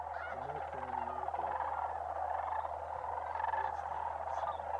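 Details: Large migrating flock of sandhill cranes at Bosque del Apache Wildlife Refuge, New Mexico, in December, calling together in an unbroken rolling chorus, with a few lower stacked notes early on and a constant low hum beneath.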